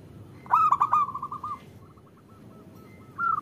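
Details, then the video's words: Local female zebra dove calling to a male, meant to draw males into singing. A sharp stuttering burst runs into a fading rolled coo, then faint evenly spaced notes and a brief louder phrase at the end. "Suara Perkutut Betina Memanggil Jantan"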